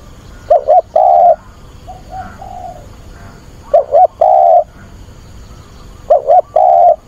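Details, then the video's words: Spotted dove decoy calling to find a mate, recorded on a weekend, 24 August, its voice meant to excite wild doves: three low cooing phrases, each two short rising coos then a long steady coo, about every three seconds. "Cu mồi gáy gọi tìm bạn, giọng bổi kích thích bổi lỡ"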